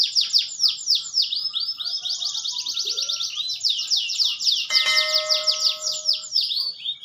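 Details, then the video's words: Canary song with goldfinch-style phrases and a long roll: fast, high, sweeping trills repeated several times a second, merging into a sustained buzzy rolling passage, with a few steady lower whistled tones joining midway. "KENARI GACOR NGEROLL CENGKOK GOLDFINCH"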